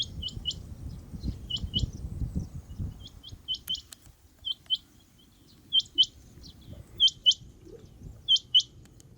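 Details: A rain quail gives sharp, high metallic double notes, 'whit-whit', about every second or so, over a low rumble of wind early on.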